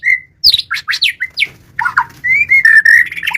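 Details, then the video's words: Energetic song from a white-rumped shama: a steady whistle, then quick downslurred sweeping notes, then a sustained warbling, rising and falling whistled passage. "murai batu kicau"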